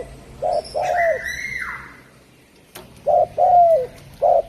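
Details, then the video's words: Derkuku Jawa, a Javan spotted dove, gives low paired coos, a brief note then a drawn-out falling one. Another bird's bright, harmonic-rich whistle sounds between the phrases. "Suara Burung Derkuku Jawa"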